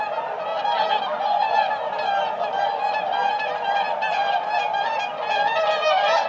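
A flock of whooper swans gives a continuous chorus of loud, bugling, trumpet-like honks, many voices overlapping without pause.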